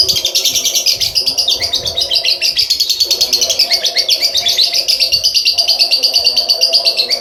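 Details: Lovebird giving a long ngekek trill: a continuous rapid high-pitched chattering run of shrill notes lasting the whole stretch without break, loud and steady.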